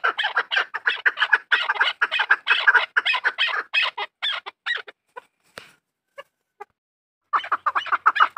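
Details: Rapid chuk-chuk notes from farm-raised chukar pour out in a fast stream, tail off into a few isolated clicks, then resume in a quick burst.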